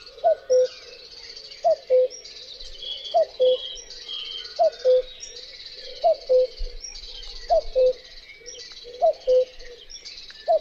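Common cuckoo giving its familiar falling two-note 'cu-coo', repeated about every one and a half seconds, over a steady high hiss of insects.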